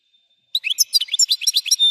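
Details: European goldfinch singing a quick burst of bright, twittering notes after a brief faint whistle, with sharp chirps and trills repeated in rapid succession.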